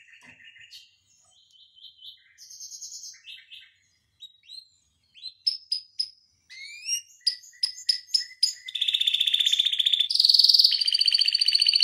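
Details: Canary song recorded as a tutor for other canaries: scattered short trills and whistles rising in loudness, sharp clicks, then a dense, continuous buzzy roll at the end.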